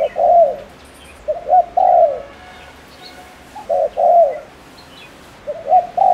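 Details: Spotted dove decoy from Ninh Thuận, Vietnam, with fast cooing meant to provoke males. Four mellow phrases in about six seconds: quick paired notes leading into a drawn-out, falling coo. Faint other bird chirps sound above.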